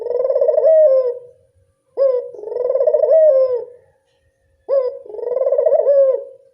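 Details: Barbary dove of a local type, played as a lure for doves, gives three low purring coo phrases. Each opens with a quick upward note, then a wavering roll that fades, separated by short silences.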